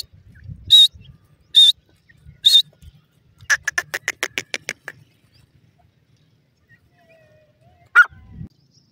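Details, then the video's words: Female francolin (teetar) calling while chicks fight: three short, high, clear whistled notes spaced under a second apart, then a quick run of about ten rapid, clipped pulses, then one lower note near the end. "Teetar Chick Fights,and Female Francolin Bird voice"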